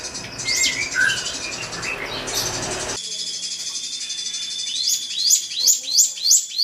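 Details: Drongo singing to provoke a rival: mixed high chirps and whistles, then after an abrupt change a fast, regular series of high rising-then-falling chirps, about three per second, in cleaner quiet.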